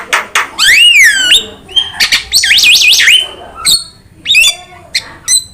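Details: Javan myna trigger and tutor song: loud gliding whistles that rise and fall, a wavy warbled phrase, short harsh calls, and scattered clicks between phrases.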